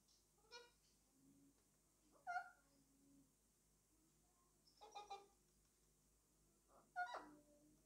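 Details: A male Alexandrine parakeet kept as a pet chatters to his toy indoors. Four separate bursts of raspy, speech-like babble come with pauses of roughly two seconds, and soft mumbled notes fill the gaps against a quiet background.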